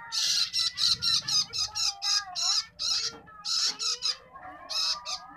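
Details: Long-tailed shrike nestling begging while being fed, loud scratchy squawks repeated about twice a second in uneven bursts, dominating the recording.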